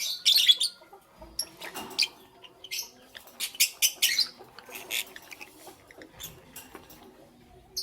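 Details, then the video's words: Lovebirds chirping in the morning, a burst of shrill high chirps followed by a rapid scattered series of short clicks and squeaky tweets that gradually thin out. "Lovebirds Chirping Sounds"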